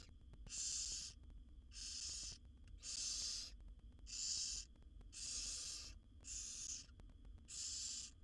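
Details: Barn owl nestlings, a wild brood of seven in a monitored nest box, beg as their mother feeds them; seven rough hissing snores in a steady, evenly spaced series, about one each second, over faint low hum.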